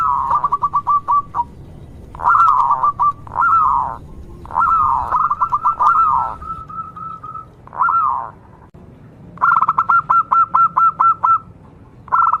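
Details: Local zebra dove in strong song, used to prompt other zebra doves to sing quickly: low hollow cooing phrases, some long and wavering, others broken into rapid even pulses near the end.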